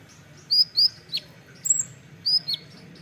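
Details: Olive-backed sunbird, known locally as kolibri ninja, giving a few sharp, very high upslurred chirps and short downward squeaks, spaced irregularly across three seconds over a faint low hum.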